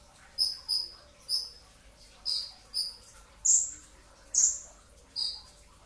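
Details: In the sahur hours before dawn, a brown-throated sunbird in '2tak' style sends out eight high, thin chips, including a quick pair and triplet at the start, followed by louder, sharper notes.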